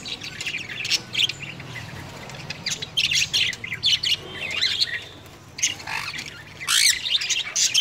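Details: Pet sun conure at home, kept with a cockatiel and cuddling it, gives harsh, high-pitched squawks and chirps in short irregular bursts.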